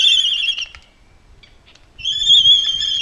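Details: A Laysan albatross pair displaying in a neighbourhood, March 11, 2013: courtship calls of two drawn-out, reedy, high wheezing notes, each about a second long, separated by a brief quiet pause.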